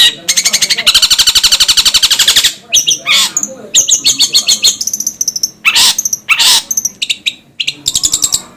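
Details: Long-tailed shrike, tutor recording for training cage birds: a fast, even rattling trill lasting about two seconds, then a varied jumble of harsh bursts, squeaky chirps and scratchy notes at uneven intervals.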